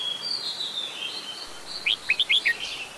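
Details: Red-whiskered bulbul, an adult, at Ubon Ratchathani, Thailand, 16 December 2020: a drawn-out wavering whistle, then four quick sharp upslurred chips in a row, ending in a short warble.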